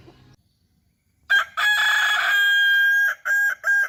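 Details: Crowing Kukuak Balenggek rooster: after a quiet start, a strong harmonic crow with a long held part, followed by two shorter clipped notes at the end.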